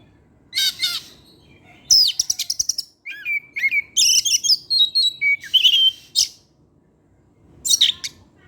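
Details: Oriental magpie-robin singing in the evening, a varied run of loud whistles, rich slurred notes and harsh buzzy bursts separated by short pauses.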